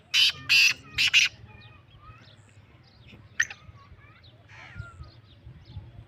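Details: Lakka-type black francolin giving four loud, rasping, scratchy notes in rapid pairs at the start, followed by soft background chirps and thin whistles from other birds and a brief harsh note midway.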